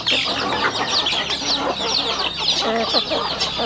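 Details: Flock of rural chickens feeding at home; loud, continuous high peeping from many birds mixes with short murmured clucks and tapping pecks throughout.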